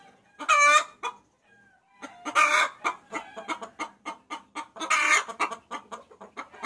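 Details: Hen calling the male, used as a lure: loud cackling bursts at the start, middle and near the end, linked by runs of short quick clucks and a brief quiet gap.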